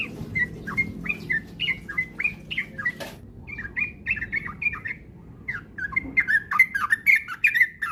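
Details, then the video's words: Sooty-headed bulbul song used as a lure to prompt rapid, frequent 'ropel' singing: a steady series of short, liquid whistled notes, about two per second, with a brief break midway over a faint low hum. "pancingan trucukan agar cepat ropel gacor rajin bunyi"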